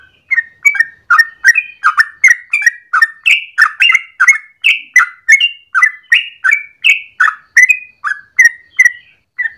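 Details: Yellow-vented bulbul in the morning giving a long, rapid 'ropel' song, used as a lure or master for training birds: bubbly, liquid whistled notes that rise and fall, delivered in a steady stream of about three phrases per second.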